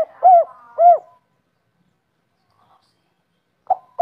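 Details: Indonesian local spotted dove, 'kuk 3' type, with two short hooked coos and a faint flat note, a long silence, then the start of another phrase.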